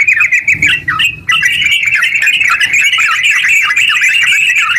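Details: Yellow-vented bulbul in a spirited, nonstop song, meant to stimulate other bulbuls; after a short hesitant start with a pause, a steady torrent of chattering warbled notes follows.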